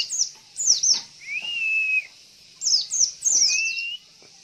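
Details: Luring call of a female Javan white-eye, used to get males singing: groups of high, sharp down-slurred chirps around two long level whistles, with quiet background hiss.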